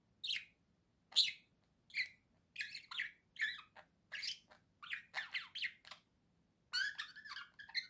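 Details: Pet budgerigar in rapid, harsh, scratchy chatter, with buzzy squawks and chirps following one another almost without pause, over a faint low background hum.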